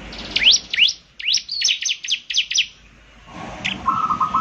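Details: Energetic ciblek semi, the bar-winged prinia, whose characteristic voice draws others to sing; an irregular string of sharp upswept and downslurred chips, then a pause, one high note and a faint steady tone.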